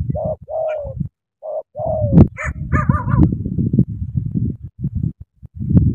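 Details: Decoy spotted dove in Cà Mau, Vietnam, uttering a few soft falling coos at the start, then fading under low rumbling noise with some higher harmonic sounds.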